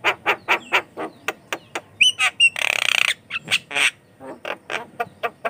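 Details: Vigorously singing Javan myna, used to lure and tutor other mynas, gives a fast train of harsh clipped notes broken by two high whistles and a long grating rasp.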